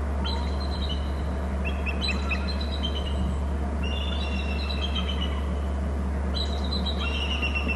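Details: Bald eagles calling on their Hornby Island nest territory just before leaving on a chase. Several series of high, slurred, piping whistles that step downward, set against a constant deep hum and broadband noise.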